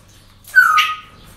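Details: A single parrot call at a breeding centre on an ordinary day, a clear whistled note sliding slightly downward with a harsh overtone, lasting about half a second.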